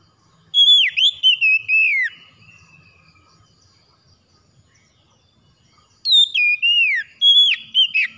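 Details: Morning conditioning song of an oriental magpie-robin, aimed at restarting a bird that has stopped singing. Two bursts of strong whistled phrases mixing rising and falling slurs with short notes are separated by a quiet gap of several seconds.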